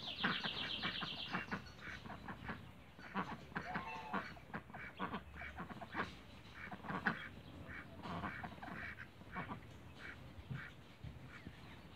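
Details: Cayuga ducks in a backyard giving loose bursts of harsh quacks and softer gabbling calls from several birds, with a buzzy high note at the start and quieter stretches between bursts.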